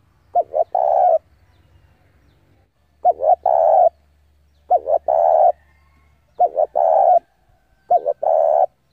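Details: Decoy spotted dove cooing to lure wild males to a fight: five cu-cu-cooo phrases about every one and a half seconds, each two quick notes then a long steady hoot.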